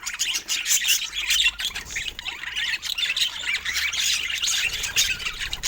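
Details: Budgerigars, described as rare, chattering continuously in a dense, busy mix of high squawks, chirps and warbles without pause. No speech or music.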